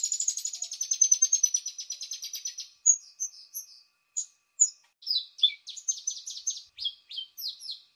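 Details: Paddyfield pipit sounds played as a lure: opens with a long, fast, buzzy trill of high notes, then breaks into separate sharp chirps and downslurred phrases in small groups.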